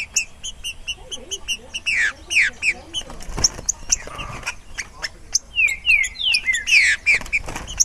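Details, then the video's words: Free-flying Green-winged saltator (Saltator similis) among a busy chorus of chirping birds; near the end it gives a rapid string of loud descending whistled slurs, each about a quarter second long, over twittering and faint background rustle. "TRINCA FERRO DESTRUINDO SOLTO"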